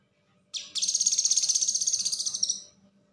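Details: Konslet-style song of a Common Iora (cucak kinoi), used for training other songbirds: one sustained, very high chattering trill of fast, even pulses lasting about two seconds, then fading, over a faint low hum.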